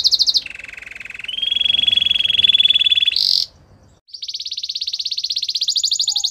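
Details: Canary song used for training: a sequence of sustained trilled tours, first a high roll, then a lower, steady, bubbling rattle that rises slightly into a flat tone. A brief break follows, then a long, buzzy trill.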